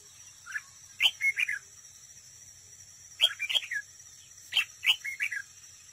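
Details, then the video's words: Close-up of a decoy red-whiskered bulbul in competitive trap singing. It gives three quick phrases of clear, fluty, slurred whistles about two seconds apart, with a constant thin high hum behind. "Cận cảnh chào mào mồi đấu bẫy, hót đấu"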